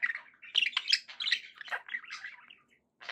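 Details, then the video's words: Pet budgie in a happy mood warbling a continuous, bubbly run of chirps and squeaky notes, then a short pause. "happy budgie sounds"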